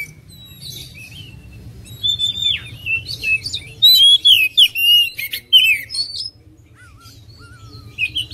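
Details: Oriental magpie-robin giving a fast, varied phrase of chirps, whistles and scratchy notes, loud in the middle, followed by a few soft low whistled notes.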